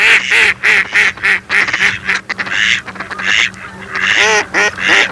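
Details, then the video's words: Mallards giving quick bursts of nasal quacks, pausing, then resuming with a fast descending run of calls, over a constant low background hum. "YEŞİLBAŞ ÖRDEK SESLERİ - MALLARD DUCK SOUNDS"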